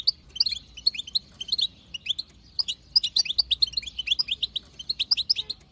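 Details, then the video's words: Batbata chatter of a wild-type female European goldfinch, played to prompt male singing: continuous sparkling twitters and thin chirps tumbling in quick clusters throughout. "بتبتة حسون خلوي تهبل الحسون تخلي يغرد غصب عنو"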